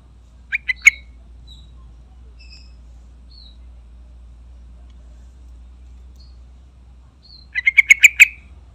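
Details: Yellow-vented bulbul call, used as a lure to prompt other bulbuls to sing: an opening burst of three bubbly, slightly harsh notes, a long quiet gap with faint distant chirps, then a quick run of about six chattering notes.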